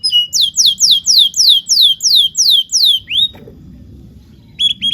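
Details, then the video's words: Canary song from a long master recording for teaching young canaries to sing: a series of about ten clear downslurred whistles, evenly spaced roughly three per second, then a short pause and a brief repeated note at the end. "PANCINGAN KENARI GACOR DURASI PANJANG UNTUK MASTERAN KENARI PAUD BELAJAR BUNYI DAN GACOR"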